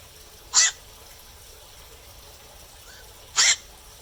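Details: Black-crowned night heron in the night giving two widely spaced, gravelly squawks nearly three seconds apart, with a soft brief tonal note between them.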